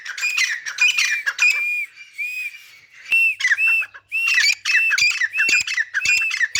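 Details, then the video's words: Grey francolin, locally called teetar, playing in mud: bursts of harsh, squawking notes with a rising, whistled edge, repeated in quick series broken by short pauses. "Teetar ki awaz | Teetar Playing in Mud and Making Sounds | Gray Francolin Beautiful Voice"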